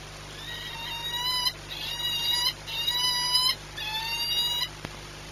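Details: Series of four drawn, slightly ascending wailing notes from a peregrine falcon, Orlen Płock, Poland, afternoon of 22 March 2021, with brief gaps and a continuous mechanical hum.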